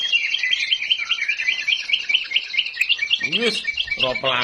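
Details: Magpie-robin song of short repeated whistled notes in a quick, steady series, with other chirps in the background and a brief human voice near the end.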